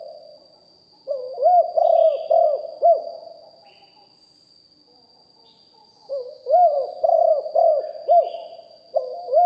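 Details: Spotted dove, a decoy bird kept for luring wild doves, recorded live singing in the 'big voice' style: deep hooting coos in phrases of about four notes, two phrases separated by a three-second pause, with a steady faint high whine behind.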